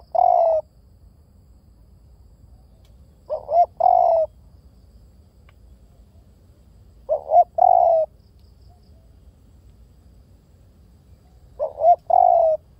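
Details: Repeated spotted dove calls, four phrases over thirteen seconds, each a quick rising two-note coo leading into a longer steady coo, spaced about four seconds apart with quiet between.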